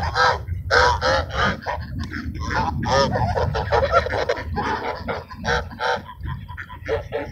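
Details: At Sunset Park, ducks being fed call with rapid, repeated short nasal quacks, roughly three per second, uneven in rhythm and overlapping among several birds.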